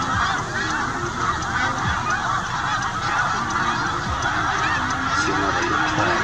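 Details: Snow geese heading south with their young, some birds still greyish, resting and feeding along the migration route near Winchester. Many birds honk at once, producing a steady, crowded babble of calls with occasional louder notes.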